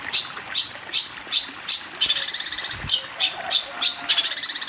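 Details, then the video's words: Long-tailed shrike master song for tutoring juveniles: single harsh high notes about every half second, broken twice by rapid buzzing rattles of clipped pulses. "MASTERAN BURUNG CENDET COCOK UNTUK CENDET TROTOL / ANAKAN ANDA"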